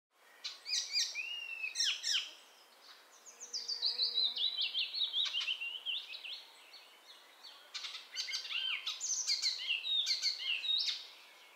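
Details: Icterine warbler (Hippolais icterina), a migrant present in spring and summer, sings a fast, varied jumble of high whistles, chattering notes and mimicked phrases, with almost no pauses between bursts.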